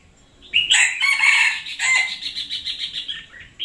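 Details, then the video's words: Red-whiskered bulbul kept as a decoy bird, singing hard in 2021: a loud, rich, continuous warbling run of bright notes that gradually fades into softer repeated pulses. "Chào Mào mồi chóe cực sung"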